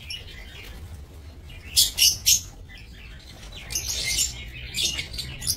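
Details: Lovebirds in a breeding aviary, recorded 22 November 2024, give three quick piercing chirps in a row, then a longer run of busy, high-pitched twittering over a quiet low background hum.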